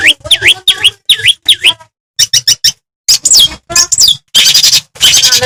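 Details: Madura long-tailed shrike song used to provoke other shrikes: repeated dipping whistled notes falling and rising, then quick chips, sweeping slurs and harsh rasping bursts, loud and varied mimicry-like phrases.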